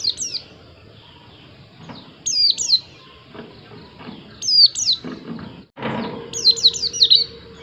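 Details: White-eye giving bursts of high, thin downslurred whistled notes in quick clusters of two to four, with pauses between bursts; soft knocks and a brief broadband rustle in the background.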